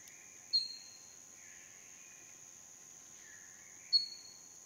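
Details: Chestnut-winged cuckoo at a small waterhole in a dry stream bed, dry season, Phnom Prich Wildlife Sanctuary, Mondulkiri, Cambodia, late afternoon: two sharp, high whistled notes about 3.5 s apart, each falling slightly, over steady insect drone and faint chirps.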